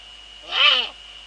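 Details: Eurasian eagle-owl in the Netherlands on an evening in February, around 19:15, with the female at the nest and the male nearby; one harsh, harmonic-rich call swells and fades in under half a second over a steady background whine.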